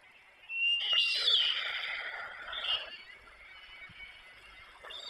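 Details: White stork nestlings beside their parents at Przygodzice on 24 July 2021: one loud, harsh wheezing hiss that swells and fades over two seconds, then quieter rasping.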